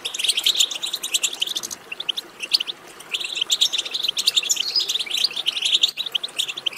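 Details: Goldfinch twitter meant to spur a goldfinch into singing: rapid, liquid chirps and jangling trills in packed runs, with a brief lull near two seconds before the twittering resumes at full density.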